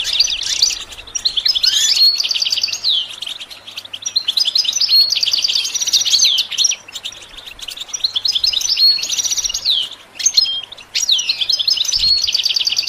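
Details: Goldfinch song used for training songbirds: a dense, continuous, high twittering warble of rapid chirps and short slurred whistles, with brief pauses near four and ten seconds.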